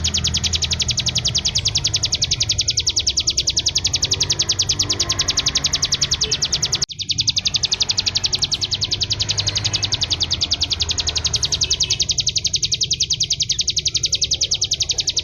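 A Bar-winged prinia sings a fast, unbroken stream of high, thin, ticking notes, several per second, over a low background hum with one sharp click midway.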